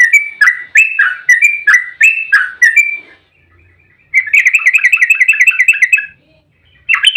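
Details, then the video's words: Fighting song of a yellow-vented bulbul, used as a lure to draw replies: a series of spaced, bubbly two-part whistled phrases, a brief quiet, then a fast continuous rattle of repeated notes. "trucukan GACOR EMOSI ROPEL RAPAT buat pancingan trucuk agar cepat bunyi"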